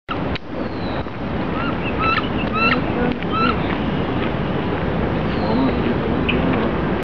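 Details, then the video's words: A mother duck gives a quick run of short, nasal quacking notes over a steady low rumble of water or engine noise. "The mother duck's call"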